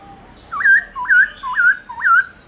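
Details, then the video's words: Laughingthrush, with a female nearby, giving four clear whistled notes about half a second apart, each sliding up then down, in a forest-style song used to call wild birds. "Khướu Hót giọng rừng RÉO GỌI BỔI KÈM KHƯỚU MÁI RO RO kích khướu bổi hót líu lo"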